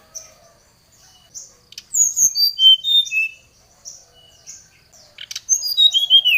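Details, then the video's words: Brown-chested jungle flycatcher singing a lure song that calls a rival, agitated and vigorous: a run of clear, high, descending whistled notes, each sliding lower, with softer high chirps before and a second falling series at the end. "Suara Pancingan SRDC Gacor | srdc memanggil lawan | srdc gacor Emosi"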